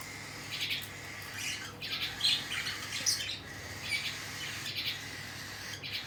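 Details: While being fed, cockatiel chicks give rapid raspy begging squawks, about seventy short bursts a minute in an uneven rhythm, with a faint hum underneath.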